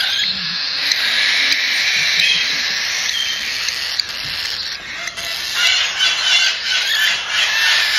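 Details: Cockatiel chicks about one month old at a breeder in Tokachi, Hokkaido, giving the raspy 'jaa-jaa' begging cry heard only in the chick period: a dense, continuous hissing chorus with uneven surges, soft music faintly behind.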